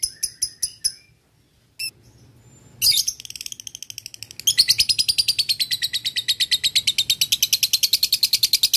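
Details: Male lovebird calling a rival: a few high ticks and a lone chirp, then a harsh burst that builds into a long, rapid, piercing ngekek chatter.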